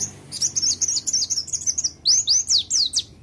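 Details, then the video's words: Oriental white-eye singing a training master song laced with sogok ontong phrases: a dense run of high rapid chirps followed by four bold, sweeping slurred whistles, faint background hum. "Pleci isian sogok ontong||Masteran plecii"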